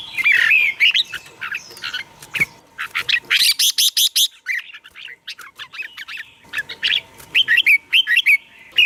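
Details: Song of a red-whiskered bulbul, used to rouse caged birds: warbling, slurred whistles open the phrase, then a run of sharp clipped notes and further lilting phrases, over a faint steady hum.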